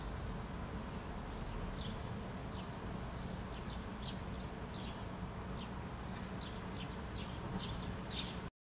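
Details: House sparrow fledgling being fed by its parent on a lawn in Helsinki, Finland, June 2013: short, high, thin chirps repeated about every half second over a steady low background rumble.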